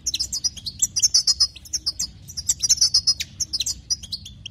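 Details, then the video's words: Song of a European goldfinch, played to stir up other goldfinches; quick liquid twittering phrases of high notes and trills, coming in bursts about every second or two, over a low background hum. "بتبتات حسون جديده للتهيج نار"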